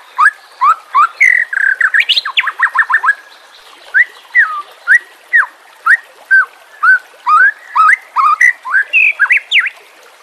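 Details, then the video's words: White-rumped shama training song for captive birds: a quick jumble of whistles and chattered notes, then evenly spaced, sharply rising whistles roughly once a second. "JELAS NYAUT dan NGAMUK dengan pancingan murai batu TERBARU FULL ISIAN KOMBINASI"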